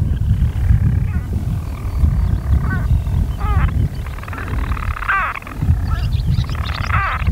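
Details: Purring churr of European storm petrels hidden in their nest burrows on Skokholm, Pembrokeshire, Wales, by day on 5 June 2013, with abrupt hiccuping breaks at irregular intervals and heavy buffeting wind throughout.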